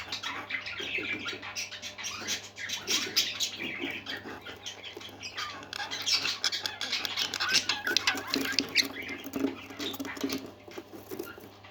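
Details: Several happy parakeets singing in a continuous, dense warble of rapid chirps, squeaks and scratchy chatter, rising and falling in intensity throughout with no pauses.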